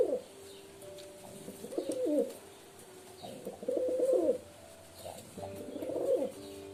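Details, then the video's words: Pigeon cooing in three distinct bouts about two seconds apart, each a burbling, rising-then-falling low phrase, over a quiet background hum. "Pigeon Sound Effect 🦅 Pigeon Sound 🦅 কবুতরের ডাক"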